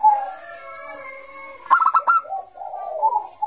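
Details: Bangkok zebra dove in ngayer song style, played as a lure for young doves: steady low cooing tones lead into a quick burst of stuttered pulsed notes, then a softer purring coo.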